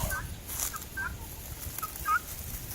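A female helmeted guineafowl gives brief, harsh, repeated two-note calls against a noisy farmyard background.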